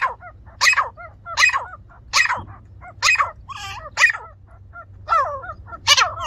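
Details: Grey francolin (teetar) calling in a village setting: loud harsh bursts about every 0.8 seconds. Softer, descending, whistled notes fill the gaps between them, suggesting several birds calling together.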